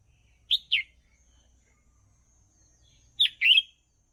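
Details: Red-whiskered bulbul song for training young birds: two brief pairs of bright, slurred chirping notes separated by nearly three seconds of quiet, each pair quick and emphatic.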